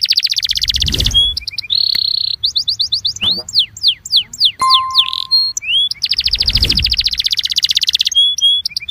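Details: Belgian canary training song for warming up canaries: high rapid trills alternate with steady whistled notes, downslurred sweeps and rattles, with a steady pure tone and low thumps in the background.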